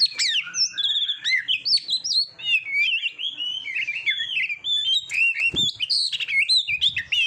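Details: Oriental magpie-robin, recorded as practice song for pet birds in contests, delivering loud, varied whistled phrases in rapid succession: rising and falling slurs, bright chirps and short warbles, with a brief low thump near the end.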